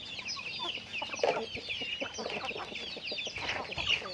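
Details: Chickens busy with daily activity utter short, rounded clucks in small groups, one louder burst near the middle, over a steady wash of high chirping twitters.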